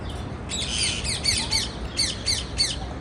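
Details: Harsh, rasping parakeet chirps come in a fast, uneven series of about eight notes within a few seconds, with faint low background noise.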